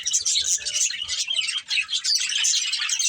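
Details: Several pet budgies chattering together, with rapid overlapping scratchy chirps and warbles that barely pause.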